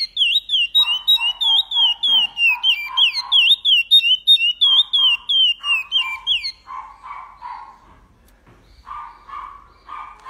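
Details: Curió, the Chestnut-bellied seed finch, in Paracambi-style song with repetition: fast strings of bright whistled notes, each swooping down then up, for six seconds, then only lower repeated bark-like sounds continue.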